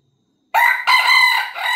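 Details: A crow from an Australorp rooster starts abruptly after a short silence, a brief harsh opening note followed by a longer rasping phrase that is cut off while still loud.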